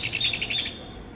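A rufous hornero gives a quick run of loud, ringing, high notes, about eight in under a second, then stops. A faint background hiss remains.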